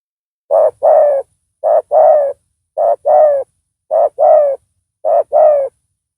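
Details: Loud-voiced spotted dove used as a decoy to attract a rival. Evenly spaced coo pairs, a short hollow note then a longer slightly falling one, repeat about every 0.9 seconds, steady and clear.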